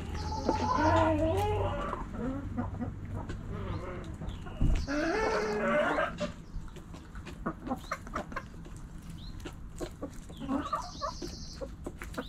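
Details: Backyard chickens, hens and roosters; two loud bursts of harmonic cackling clucks, the second around the middle, then quieter scattered clucks and a few pecking clicks over a steady low hum.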